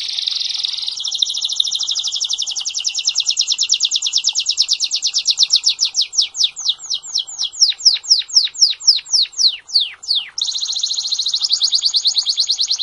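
A canary sings a long, high rolling tour: a fast buzzy trill that slows into repeated sweeping notes, then returns to a rapid trill.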